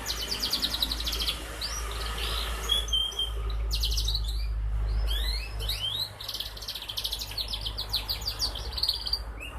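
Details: Young canary, four months old, eager to sing and learning to sing continuously; recorded 11 August 2021 as a lure for other canaries. Fast rattling trills break off, then resume as rising whistled notes and quick chirped phrases over low hum.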